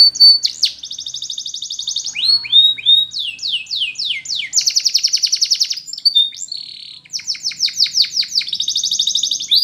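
A Belgian canary sings a rapid, high-pitched song of buzzy rolled trills broken by quick downward-swooping whistles, with no other sounds.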